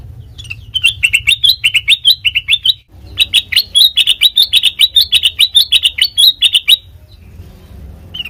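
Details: Sooty-headed bulbul singing, a recording meant as a lure for training songbirds: long loud bursts of rapid, ringing chirps repeated over two seconds a beat, a short pause between runs, then near silence with low background hum.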